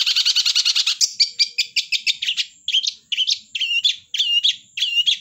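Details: Long-tailed shrike singing energetically: an opening fast, buzzy trill about a second long, followed by a varied series of clear, inflected whistled notes and chirps, each separated by short gaps.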